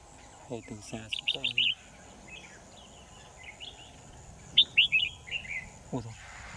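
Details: Red-whiskered bulbul used as a trapping decoy, 10 December 2018: clusters of clear chirping whistles in two bursts, with knocking and tapping sounds early on and another thump near the end.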